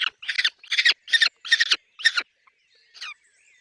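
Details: Peregrine falcon calling at a nest with chicks: a fast run of loud, ragged, cackling notes that breaks off, followed by one fainter harsh note and quiet thin whistles.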